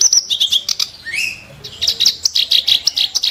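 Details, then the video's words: Clamorous reed warbler, kept as a tutor bird for songbirds, delivering sharp, harsh bursts: rapid chattering notes, a rising whistled slur midway, then fast grating repeated notes to the end. "burung KERAK BASI tembakan tajam & kasar"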